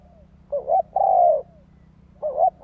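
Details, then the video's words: Spotted dove cooing, used as a lure to draw wild doves in: short wavering hoots each followed by a longer, smooth, slightly falling coo, two phrases heard, over a steady low electrical hum. "Tiếng chim cu gáy kích mồi cực sung"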